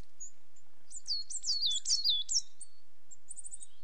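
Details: Coal tit uttering a quick series of high, downward-slurred notes over about one and a half seconds, then a soft run of tiny very high ticking notes near the end.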